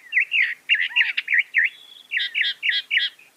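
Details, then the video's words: Northern mockingbird (Mimus polyglottos) pouring out a fast, continuous jumble of varied slurred and warbled notes, loud and tumbling, with a brief thin whistle in the middle. "Masteran Burung Kicau Mockingbird Gacor - Mockingbird Bird Sound"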